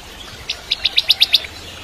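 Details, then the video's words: Bar-winged prinia, used as training song for shamas, delivering a short run of seven sharp, rising chip notes that grow louder, over a quiet background. "Masteran Cimblek Kristal Gacor (masteran murai Batu trotol)"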